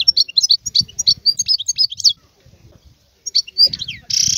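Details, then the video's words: Wild European goldfinch giving lively twittered phrases of sharp chips, a short pause, then more slurred notes and a final harsh buzzing rasp; low background rumble throughout. "اسمع بأذنيك تغريد هذا الحسون البري. افضل غناء خلوي"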